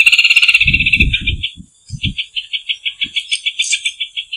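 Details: Rufous hornero song: a fast rattling trill that breaks into a long, regular series of sharp, high notes, with some low thumping noise early on.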